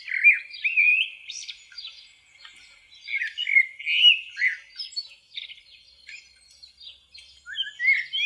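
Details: Common blackbird song: warbled, slurred phrases separated by short pauses, some notes sweeping upward, with quieter twittery fragments between louder bursts.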